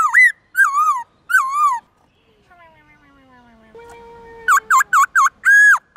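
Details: Morning many-voiced forest song of a black-throated laughingthrush, used to train young birds: three loud wavering whistles, a quiet stretch of faint gliding tones, then a quick run of sharp rising notes and an arched whistle.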